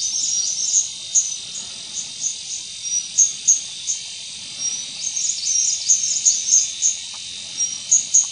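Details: White-gorgeted flycatcher (leucops) at Doi Ang Khang, Thailand, 24 March 2017: brief, sharp, very high whistles, some in quick runs of three or four, against a steady, dense wall of insect noise.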